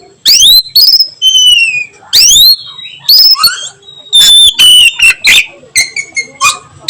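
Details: Afternoon 'nyiul' singing by an oriental magpie-robin: bursts of rapidly rising whistled sweeps, followed by clear descending whistles and short chipping notes in quick series.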